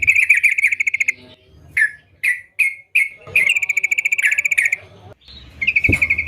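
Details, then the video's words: Lively sooty-headed bulbul song: fast rattling trills alternating with separate slurred chirps and brief pauses, ending in another quick trill, with a sharp knock just before it. "Burung Trucukan Gacor"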